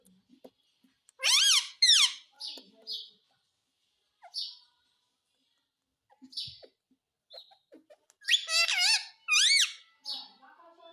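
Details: Pet talking parrot, said to say "mummy", gives two loud clusters of shrill, nasal, speech-like syllables with bending pitch, about seven seconds apart. Faint clicks and soft sounds fill the gap between them.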